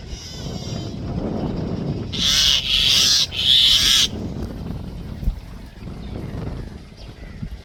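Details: Common myna alert call: three loud, harsh rasping bursts in quick succession near the middle, set against a quiet background of low rumbling noise and faint distant chirps.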